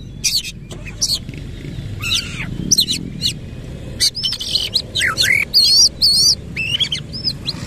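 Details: Oriental magpie-robin in vigorous 'nembak ngerol' song, tail spread: varied phrases of wavering whistles, looping warbled notes and harsh buzzes, growing denser and more continuous in the second half.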